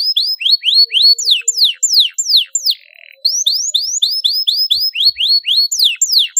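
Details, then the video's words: A canary sings to spur a silent canary: rapid upswept chirps and falling whistled notes in fast series, a short buzzy pause, then the same brisk chirping phrases repeated. "PANCINGAN KENARI MACET BUNYI PALING AMPUH MERANGSANG BUNYI KENARI STRES"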